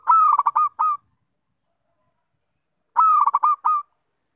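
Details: Zebra dove with a melodious voice, giving two loud cooing phrases about two seconds apart. Each opens with a drawn-out note and breaks into a quick rolling run of four or five pulses. Silence between phrases.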